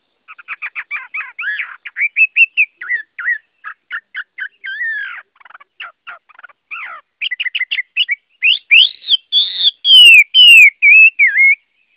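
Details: Long varied performance by a Chinese hwamei: rapid chattering trills and clipped notes, then mixed whistles, building to a series of loud ringing slurred whistles near the end.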